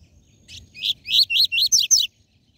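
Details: Captive-bird training song, tui tui zel zel style, from a Double-collared seedeater: a clear phrase of five or six loud, sweeping, slightly buzzy whistles in quick succession, starting soft and ending abruptly.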